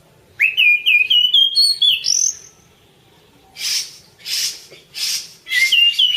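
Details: Song of the orange-banded thrush, anis cendana, recorded as masteran: a rising run of repeated whistled notes climbing in steps, then a pause and a few breathy hissing bursts before more whistles.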